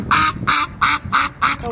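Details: Ducks at Whitby Abbey crowding people and expecting food, giving loud, harsh quacks in rapid succession, about six in under two seconds, each short and nasal, with a person's voice nearby.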